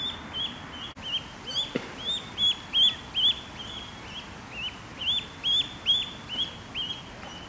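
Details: Angry Canada goose goslings fighting and charging each other give high, thin peeps, short rising-then-level notes about two or three a second in uneven bursts, over a faint outdoor hum.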